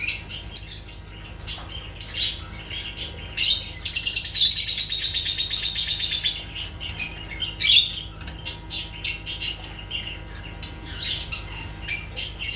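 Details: Lovebirds chattering: many high, sharp chirps with a sustained rapid twittering run in the middle, then scattered squeaky calls.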